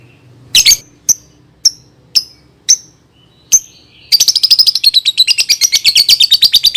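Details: Lovebird song used as a lure to stimulate young birds to sing: a string of sharp, high clicking chirps about twice a second, then a rapid, continuous, shrill chattering trill filling the last three seconds.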